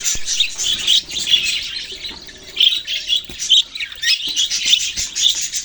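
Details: Budgerigars kept as pet birds, recorded November 6, 2023, chirping together: dense high warbling chatter with bright short notes and chirps overlapping continuously, swelling and fading in uneven bursts through the whole stretch.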